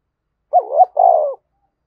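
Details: A loud, clear spotted dove coo in the Vietnamese 'thúc bổi' manner: a wavering two-pitch opening note, then a longer level coo, the whole phrase lasting under a second, with silence around it.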